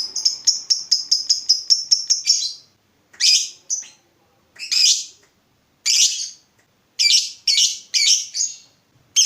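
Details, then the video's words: Vocal lovebird on a lure recording intended to make other lovebirds answer with ngekek: a quick series of evenly spaced high chirps, then loud harsh squeaky calls at irregular gaps. "Pancingan Lovebird Gacor Burung Lakbet apapun pasti Nyaut Ngekek"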